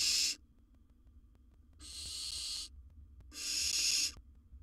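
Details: Wild barn owl in a monitored nest box, around swallowing a large prey item: three long, harsh, breathy hisses, each about a second, separated by quiet gaps, with a faint low hum beneath.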